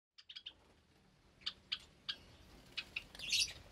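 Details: Java sparrows in an aviary with newly hatched chicks, Sunday morning, 8 May 2022: a few short, high chipping notes in small clusters, with quiet gaps between them.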